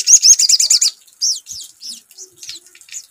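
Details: Sogon sunbird lure sound: a rapid run of about eight high chattering notes, then several looser, descending high chirps.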